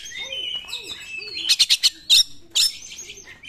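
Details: Oriental magpie-robin song in 'nembak' style, used to stir non-singing magpie-robins: high whistles over soft low arching hoots early on, then a quick run of four piercing strokes and two louder harsh bursts.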